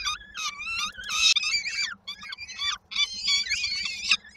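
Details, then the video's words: Peregrine falcon chicks in Koszalin, Poland, 19 May 2022, begging while waiting for the mother to arrive with food: sliding, wavering shrieks that run into harsh, dense bursts, with short silent gaps and a steady low hum. "w oczekiwaniu na mamę z kolacją"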